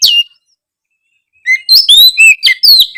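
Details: Oriental magpie-robin singing in an energetic, chatty style to rouse lazy magpie-robins into song. One sharp downslurred whistle, a pause, then a rapid string of loud, varied slurred whistles and chirps.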